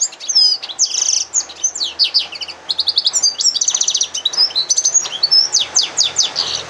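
A hybrid yellow-fronted canary and canary sings a fast, continuous, high-pitched warble of trills, chirps and rising and falling whistled notes.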